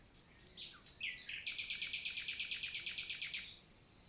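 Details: Common nightingale singing in daytime, 11 June 2023, Lot, southern France: a few varied introductory notes followed by a fast, even, loud rattle of about sixteen repeated notes over two seconds.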